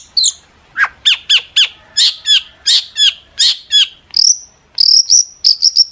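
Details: Long-tailed shrike song meant to draw answers from other shrikes: sharp, downward-sweeping harsh notes repeated roughly every half second, then a run of high, thin whistles near the end.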